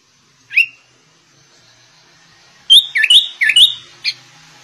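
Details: One upslurred whistle, a pause, then a tight burst of loud, twisting whistled notes from a sooty-headed bulbul singing like a white-rumped shama. The background is quiet.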